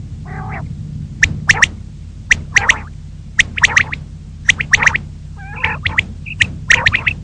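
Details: Female common quail calling in the morning, giving quick triplets of sharp, bright notes repeated about once a second, with a few softer nasal, wavering notes and low background rumble.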